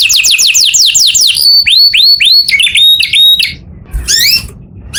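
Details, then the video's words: Canary singing in the morning: rapid repeated upward-sweeping whistled notes, then curved slurred phrases and trills, a brief quieter pause near the end before a final burst of rising notes. "O SOM DOS CANÁRIOS FAZ OUTRA EMOÇÃO DOS CANÁRIOS E ALEGRIA A VOZ DA MANHÃ"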